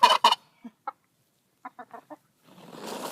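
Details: A pet Eastern Bronze wild turkey tom, held air released by a slight squeeze as he drags his wing, opens with two harsh, throaty bursts, then five soft, hollow burps about a fifth of a second apart, ending in a rustling hiss.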